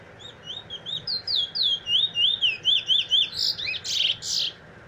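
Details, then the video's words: A black Trinidad bullfinch (chestnut-bellied seed finch) of good bloodline sings on 15/03/2020: a fast run of clear whistled notes rising and falling, about two per second, ending in harsher buzzy phrases, in a quiet setting. "Trini bullfinch black bird good bloodline bird"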